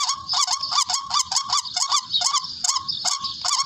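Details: Barred rail lure call for bird hunting: a rapid series of rasping, honking notes, roughly two and a half per second, each with a hooked pitch bend, loud and continuous throughout.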